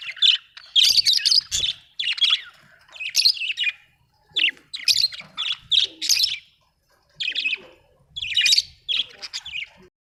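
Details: Budgie chatter in rapid clusters of bright, scratchy chirps and buzzy warbles, each burst lasting under a second and separated by short quiet gaps, steady throughout with a few soft low knocks in the background.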